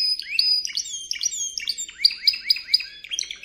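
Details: Spanish Timbrado canary training recording, 2014–2015: clear piping notes sliding up and down, repeated roughly twice a second with bright high whistles layered over them.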